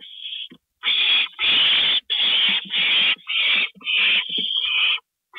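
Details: Owls at 2:05 AM, April 27, 2012, during delivery of a gopher. Loud, harsh, rasping screeches run almost continuously, each lasting up to half a second, in an excited rapid series with hissy tails.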